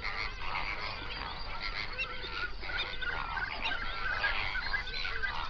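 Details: Flamingos by the hundred on a national park lake in the Overberg, South Africa, at sunrise; constant overlapping honks and chattering calls form a dense, steady chorus.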